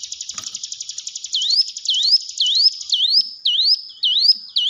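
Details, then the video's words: Lure recording of a hill prinia for training caged birds that stay silent: a rapid buzzy rattle opens, then clear rising whistled notes repeat about twice a second over a faint continuing buzz. "ciblek gunung diam saja kurang loss mental ciut latih dengan pancingan ini"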